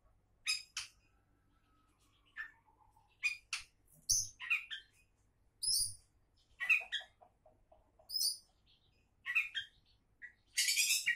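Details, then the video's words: Oriental magpie-robin, called a champion candidate, singing separate loud high bursts: sharp whistled notes and harsh buzzy chatter, about one phrase per second with short silent gaps, plus a faint low hum behind. "Kacer Calon Juara"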